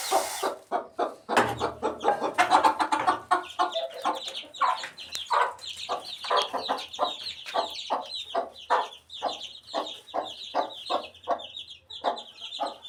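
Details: Eighteen-day-old chicken chick: steady trains of short, high peeps in quick succession for most of the clip, mixed with lower, coarse clucking pulses and some louder, busier sounds early on.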